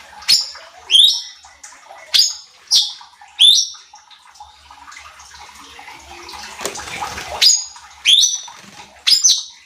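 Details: Cucak cungkok bulbul in a training recording used to provoke other competition birds: loud, sharp, whistled notes sweeping steeply downward, repeated roughly every half to one second in bursts, with a brief rushing, watery noise midway.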